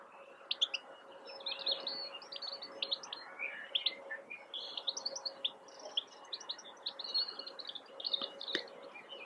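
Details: European goldfinch in a blackthorn bush, April 2021, pouring out a continuous high, tinkling twitter of quick chirps, trills and brief buzzy rattles, with a faint steady hum and one sharp click near the end.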